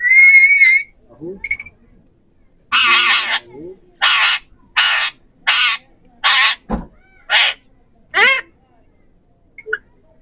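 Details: Three ringneck (Pahari) parrots talking: a wavering whistled note opens, followed by a steady run of about eight loud, harsh screeches spaced roughly half a second apart.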